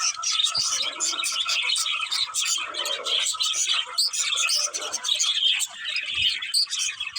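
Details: Several budgerigars chirp together in a dense, continuous chatter of high, quick tweets and warbling notes without pause.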